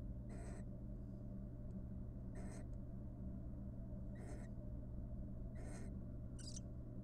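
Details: Courtship between a wild barn owl pair in their nest box, after the two raised three nestlings: harsh, hissing screech bursts about every two seconds, with a final higher, sharper note, over a constant low hum.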